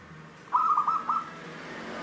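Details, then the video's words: Single short, clear coo phrase from a local wild zebra dove of the 'Cristal tembus' type: a quick string of ringing, bead-like notes fading into soft hiss. "Contoh suara perkutut lokal Cristal tembus"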